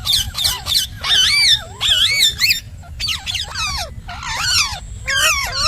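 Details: Loud talking from a pet parrot: a near-continuous run of bright harmonic syllables with arching, sliding pitch, grouped into phrases about one second long.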